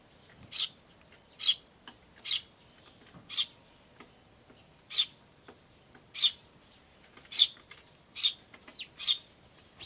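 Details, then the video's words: Tree sparrow chicks and adults recorded on 10 May 2013 with an iVIS camcorder: a string of about ten sharp, high chirps at uneven intervals of roughly one second, with softer faint ticks between them. "スズメと雛の鳴き声(5) Sound of Tree Sparrows and chicks (5)"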